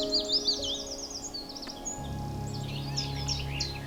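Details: Willow warbler at RSPB Coombes Valley woodland, in the pied flycatcher and redstart season, sings a soft, sweet warbling cascade of high notes that slides downward, then starts another phrase, over a low steady hum of background music.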